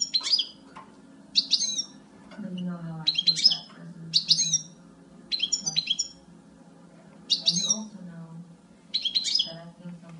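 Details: Lively high twitters from a female European goldfinch, brief chirpy bursts coming in quick succession, about six groups, with a faint low rumble of room noise.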